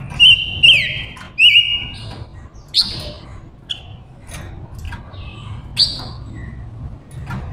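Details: Silver-eared mesia, a female decoy singing to entice wild males, gives loud looping whistled trills, then sharper high notes every few seconds amid softer chips.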